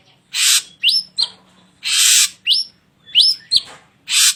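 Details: Gacor ashy drongo masteran for training cage birds: long harsh hissing bursts alternating with sharp rising whistled notes, roughly one element per second, ending on a rasp.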